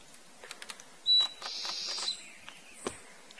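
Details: Foraging Ochre-rumped Antbird in highland bamboo forest: a short pure whistle leads into a grating, buzzy note of under a second, amid scattered clicks and soft rustling.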